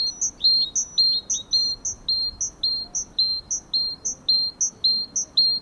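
Great Tit singing a fast, ringing two-note phrase, a high note dropping to a slightly lower one, repeated about twice a second, over faint background hum.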